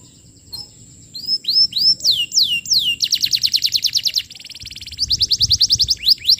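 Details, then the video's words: Canary singing vigorously as a lure for young canaries: a few rising chirps, looping whistled swoops, then long, rapid, rhythmic trills of falling notes with a short pause between runs. "Suara Pancingan Kenari Gacor, Cocok Untuk Materan Paud Kenari"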